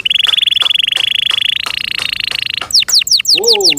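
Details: A canary kept by its owner delivers a steady buzzy rolling trill for about two and a half seconds, stepping slightly higher midway, then switches to sharp downward-sliding whistles while a man exclaims briefly.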